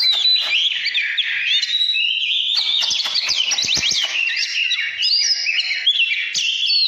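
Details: Oriental magpie-robin from 2017 singing in the căn lửa (fiery) style: a dense, continuous run of bright whistled phrases with sharp up-and-down sweeps, a scatter of hard clicks in the middle, and no other sounds.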